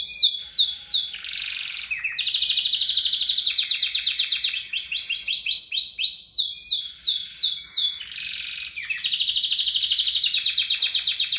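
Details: Canary rolling song used to train other birds: bright sweeping notes give way to long, very rapid trills at several pitches, repeated sweeping phrases midway, then another sustained high roll.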